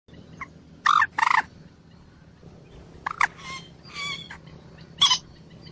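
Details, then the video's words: Moorhen calling: a few loud, harsh squawking notes in short bursts, a pair near the start, more later, separated by quiet gaps with low background rumble. "moorhen bird amazing voice"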